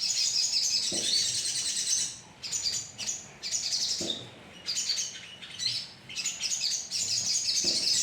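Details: Sogon bird colony sound used as a lure: dense, overlapping high, thin chirps and twitters in bursts broken by short pauses, with a few soft low knocks.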